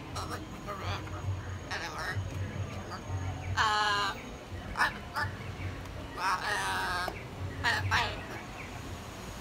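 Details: Hyacinth macaw at San Diego Zoo Safari Park, recorded 21 February 2021, talking a lot: short harsh raspy bursts and a loud harmonic squawk-like phrase mid-way, over steady low background rumble and faint human voices.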